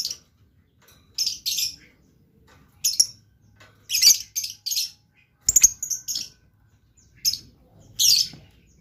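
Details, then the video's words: Blue lovebird singing actively. Harsh, buzzy high chirps come in short bursts and clusters, some doubled or tripled, spaced by brief silences over about nine seconds, with a faint low hum beneath. "LOVE BIRD GACOR"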